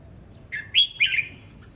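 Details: Red-whiskered bulbul practising its voice in morning song: a rich three-part whistled phrase, a low note, a loud upward slur and a warbling trailing note, with little background noise.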